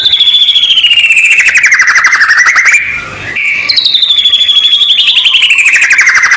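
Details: White-rumped shama training song played before a song contest: long trains of rapid pulsed notes sweeping down and then up, broken by a brief drop in the middle, then resuming with fast repeated notes.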